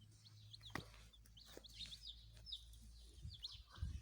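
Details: Baby chickens giving high, thin chirps, short rising-and-falling peeps in loose clusters over a steady low hum, with a few faint knocks and clicks.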